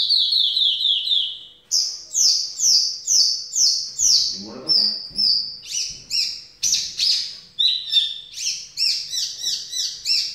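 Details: Varied song of a Javan bush lark: quick runs of downslurred high chirps, clear held whistles and dense mixed trills in changing phrases; a brief lower rustling sound intrudes midway.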